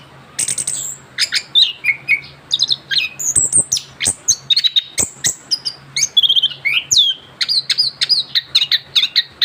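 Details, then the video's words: Young orange-headed thrush just after moulting sings in a continuous rolling style: a fast stream of varied sharp whistles, slurred rising and falling notes and clicks, nearly without pause, with a steady low hum behind. "kicauan anis kembang muda ngerol pasca ganti bulu"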